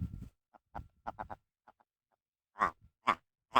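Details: Wild red grouse, territorial, on moorland on the north-east side of Kinder Scout above the Snake Pass, Peak District National Park, UK, recorded up close: scattered soft clucks, then three loud, harsh, croaking notes about half a second apart.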